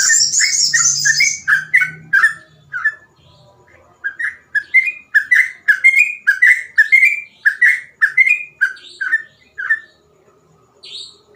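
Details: Sooty-headed bulbul in continuous 'gacor ropel' style, phrases easy to imitate: an opening harsh high chatter with whistles, a short pause, then a long quick series of clear whistled notes.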